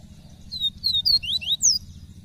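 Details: Caged male double-collared seedeater singing indoors in Brazil, coaxed by its keeper; a fast run of high, clear whistled slurs, some falling and some rising, in quick succession.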